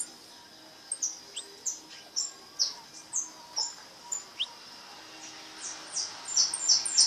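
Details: Brown (pardo) goldfinch in repique song: spaced high chirps repeated about every half second, building into a faster, louder trill at the end, over faint background hiss.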